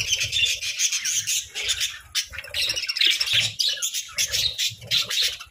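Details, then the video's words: Cheerful pet budgerigars chatter in fast, scratchy twitters and squeaky chirps that rise and fall in short waves, over soft low thumping noises. "Playful Budgies: Happy Birds Sounds"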